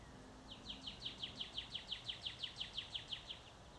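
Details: Woodpecker calling on May 16, 2011, at 6:31 PM: a quick, even run of about sixteen sharp, high, down-slurred notes, roughly six per second, rising slightly in strength and then fading, over faint low background rumble.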